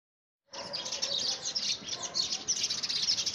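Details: Several house sparrows fight over a homemade nest box in early February 2017. After half a second of silence, a dense, unbroken stream of sharp, overlapping chirps begins and continues to the end.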